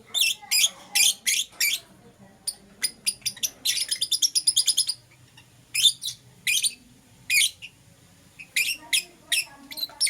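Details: Morning chirping from lovebirds, Euwing Green Opaline and Lutino: rapid series of sharp, high, buzzy chirps in quick runs, a dense rattling burst near the middle, then spaced repeated chirps.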